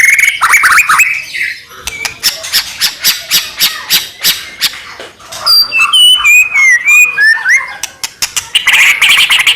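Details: Singing white-rumped shama meant to provoke rival shamas into song: harsh squawking notes and rapid clicks repeated several times a second, then bright slurred whistles and a buzzy final burst.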